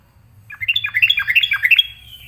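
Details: Yellow-vented bulbul singing vigorously in response to a challenger, with a lively burst of warbled, bouncing notes that step up and down in quick succession, ending in a thin drawn-out note over a low hum.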